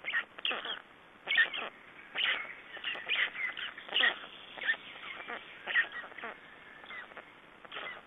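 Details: Black storks at their nest in Estonia on 3 June 2011, during nest exchange and feeding; harsh, raspy broadband bursts repeat irregularly, about every one to two seconds, with short pauses between.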